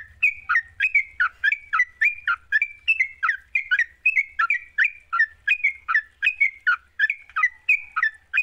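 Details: Sooty-headed bulbul singing 'gacor' as a lure to set off a lazy bird: a steady series of whistled notes, each ending in a sharp downward flick, about three per second throughout, over a faint low hum.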